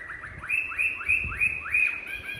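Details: Caged Chinese hwamei, tamed, from Hanoi, Vietnam, in fighting song: a quick string of about seven identical rising whistled notes, roughly three per second, with soft thumps underneath.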